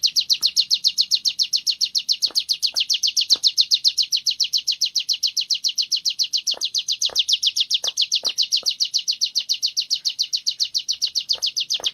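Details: Sunda warbler in training, singing in the continuous ngebren style: rapid, evenly spaced high chirps, nearly four per second, running unbroken for twelve seconds, with a few faint clicks beneath.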